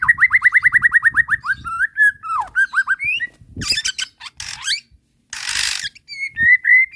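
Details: Provoking song of a white-rumped shama, played to trigger a reply and the bird's full repertoire: a rapid trill of about twelve clipped notes, twisting whistles, harsh rasping bursts, a short pause, then clear whistles.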